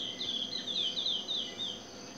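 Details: Brown lesser seed finch singing in natural habitat; a short series of five thin, slurred whistled notes, each sliding downward, spaced evenly over a steady background hiss.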